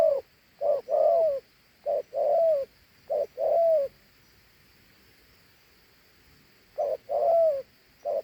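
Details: Dove delivering two-note 'thổ hú' coos, a short note followed by a longer wavering one, several pairs in quick succession, then a pause of about three seconds before the cooing resumes.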